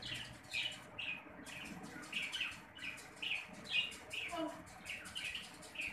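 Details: Two newly hatched Zebra finch (Taeniopygia guttata) chicks beg to be fed, giving thin, high peeping begging calls in quick, uneven bursts.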